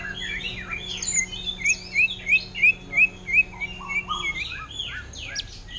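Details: Caged greater green leafbird, for sale, singing orange-headed thrush style: a steady series of rising whistled notes about three per second, then softer varied warbles, with a low hum behind.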